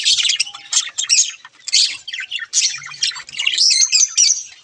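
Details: Budgerigars chattering: dense, scratchy warbling and chirps from several birds, constant with brief dips, plus a few clear whistled notes near the end.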